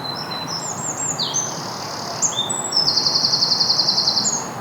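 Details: Eurasian wren in a strip of woodland between housing estates, Basingstoke, Hampshire, UK, on a spring Sunday morning, gives a loud, high burst of thin whistled notes running into a fast, even rattling trill over a soft hush.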